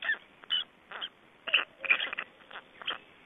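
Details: Black storks at their Estonian nest, 25 May 2012, feeding and change-over: short, squeaky, wheezing bursts, about three per second, some with a sharp high edge.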